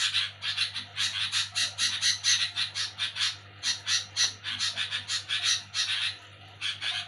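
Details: Noisy night-time chatter of a sooty-headed bulbul: a fast string of grating, rasping notes, several per second, pausing now and then before resuming, against a faint steady hum.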